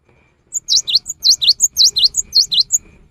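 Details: Lure song of a cinereous tit for the rainy season: a loud, even sequence of high, sharp, V-shaped notes alternating with thin whistles, roughly four per second, over a faint low rumble.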